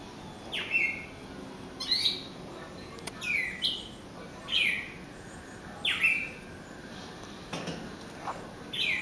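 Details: Bird by a house door, singing toward the glass where it seems to see a mate; a series of bright, descending chirps repeated roughly every second or so, with a constant high hiss behind.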